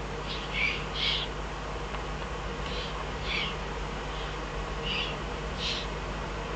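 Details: Eurasian eagle-owl, Eifel, 22 June 2012: a series of six or so soft, breathy hisses at irregular intervals of about one to two seconds, partly masked by a noisy, rumbling background.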